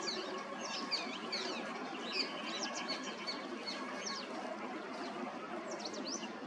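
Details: Male and female green-winged teals giving a scattered series of brief, high, whistled chirps, some falling and some rising, from several birds, over constant low background noise.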